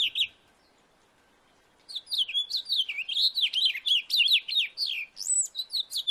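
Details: House finch in a backyard: a brief note, two seconds of silence, then a long continuous warble of slurred, swooping notes with a high whistled upslur near the close.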